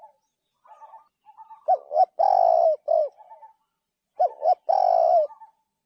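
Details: Repeated cooing of a spotted dove: soft, low-level coos lead into two loud phrases, each a pair of quick upswept notes, a long sustained coo that dips at the end, and a brief trailing note.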